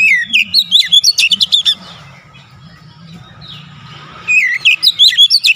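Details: Lively Oriental magpie-robin song used as a remedy for stressed birds: rapid clusters of piercing whistles and chirps, about two seconds of near quiet with a low hum, then another burst of varied whistles.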